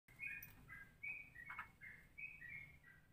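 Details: Straw-headed bulbul singing a ropelan variation, a style likened to a mix of Cucak Rowo and Cucak Jowo (trucukan): clear whistled notes alternating between two pitches, steady and flat, over a low background hum.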